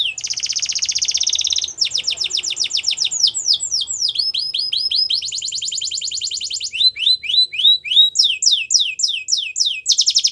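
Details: Extended canary song in several distinct tours: a fast buzzy trill, slurred downward notes, a dense rattling run, then rising chirps and sharp repeated sweeps, each section shifting pitch.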